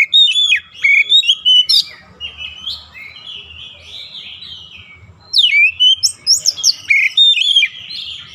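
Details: Kacer, the oriental magpie-robin, in daily training for a long rolling song; rapid bursts of bright whistles and scratchy trills, then a long softer warbled stretch before another loud burst of varied notes.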